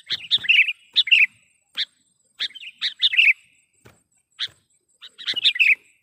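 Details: Lure call of the sooty-headed bulbul, meant to draw in other bulbuls and to spur lazy ones to sing: short clusters of bubbly, chirping notes repeated about once a second, with brief single chips between them.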